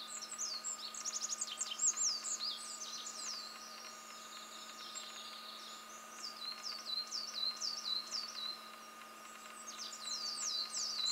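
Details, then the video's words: Olive-backed pipit singing at the fourth station of Mount Fuji, Japan: bursts of thin, very high, rapid trills and sweeping notes, pausing between phrases, over a steady low hum. "Olive-backed Pipit song ビンズイさえずり♪（富士山４合目）"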